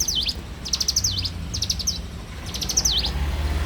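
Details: In the morning a bar-winged prinia sings four phrases of rapid high ticks, each finishing with a sharp swooping whistle; faint low rumble in the background.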